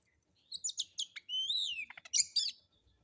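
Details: White-rumped shama song used as a lure to provoke other birds to sing, rough harsh material: sharp chips, a long rising whistled slur, then burry notes, in a quiet setting.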